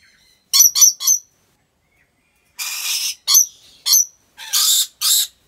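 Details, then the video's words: Rainbow lorikeets in a wildlife park in Aceh Besar, Indonesia: three short shrill notes in quick succession, a pause, then a longer harsh rasp followed by clipped squeaks and two more rasping bursts. "Rainbow Lorikeet Sounds"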